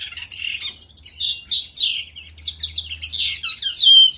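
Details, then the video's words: Lark song from a ravine: rapid, tumbling high twitters and short trills run together, ending on a thin, drawn-out whistle, over a quiet low hum. "Джурбай ,песня жаворонка в яру"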